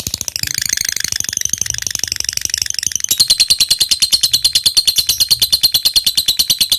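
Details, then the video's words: Lovebird in active form giving the long chattering song known locally as ngekek panjang, used as a lure to make other lovebirds reply: a fast, unbroken, harsh rattling trill that shifts higher and louder midway. "suara lovebird gacor ini SANGAT DI REKOMENDASI untuk MENJADIKAN lovebird gacor NYAUT NGEKEK PANJANG"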